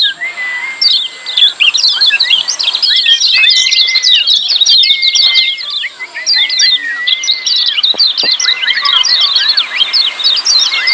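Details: Lemon-bellied white-eye, loud and lively 'ciak' calls for coaxing quiet birds to sing: continuous rapid high chirps layered over a series of long, even whistles repeated throughout.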